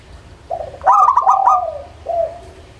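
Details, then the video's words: Local zebra dove song used as a lure for lazy singers: a soft low coo, a quick stuttering run of bright clicking coos, then a falling, fading coo at the end. "SUARA Pancingan Burung Perkutut LOKAL - AjIb Buat Yang Malas Mangguung"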